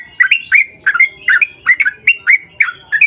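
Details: Trucukan, the yellow-vented bulbul, singing a long rolling 'ropel' used as a lure to make others of its kind respond: quick liquid chirps in pairs, about three per second, steady and energetic.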